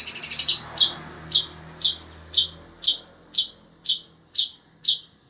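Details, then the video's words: Long-tailed shrike of the sembur type, kept as a pet, singing continuously in desert-like heat: a quick rattling burst, then sharp high harsh notes repeated about twice a second, evenly spaced. "Burung Cendet INI TETAP MELOCOR DOR"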